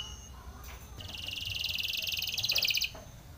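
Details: Spanish Timbrado canary in a training song: after a moment of quiet background hum, a brief, rapid pulsing trill rings out for about two seconds and stops abruptly.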